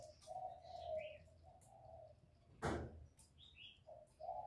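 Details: Spotted dove coos for stimulating newly kept birds: a series of low mellow coo notes, a sharp knock midway, then more coos, with faint twittering birds behind.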